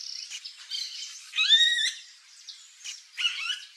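Variable oriole giving a bright, harmonically rich call with a rising whistled note near the middle, mixed with scratchy chatter. Fainter notes follow.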